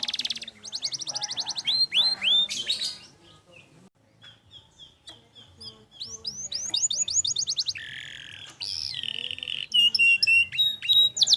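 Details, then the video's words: Canary song used as a training recording for other songbirds, clear voice: rapid trills of downward-sweeping high notes, rolling buzzy stretches and sharp chips, with a quieter pause midway before fast repeated notes resume. "Masteran Kenari Gacor Suara Jernih"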